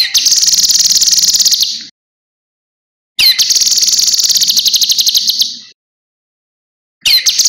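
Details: Cucak kinoi song used as a training recording for other birds: long bursts of rapid, buzzy, metallic trilling, each lasting about two seconds, separated by clean silent gaps.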